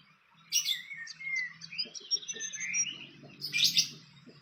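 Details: At a wild nest, a fantail twitters in quick high chirps and short slurred whistles, busy and uneven, ending in a louder squeaky burst.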